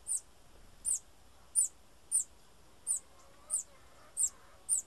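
A bananaquit gives eight very high, thin, sibilant tsip notes, evenly spaced about two-thirds of a second apart, over a faint low background murmur.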